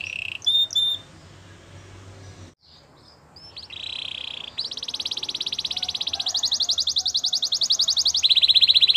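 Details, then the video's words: Canary training song: a few sharp notes, a soft buzzy roll, then long fast rattling trills growing louder over a noisy background. "Your canary will not stop singing with this training song"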